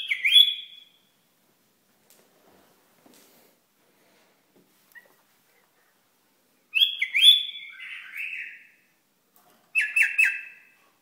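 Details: Iraqi bulbul singing: short bright whistled phrases with quick downward-stepping notes, given in separate bursts with long silent pauses between them.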